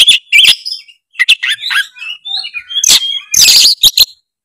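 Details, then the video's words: Energetic Oriental magpie-robin song to spur a quiet bird: clipped whistles, harsh clicks and a long thin whistle, followed by loud buzzy bursts. "suara kacer gacor cari lawan pancingan kacer malas bunyi seketika gacor"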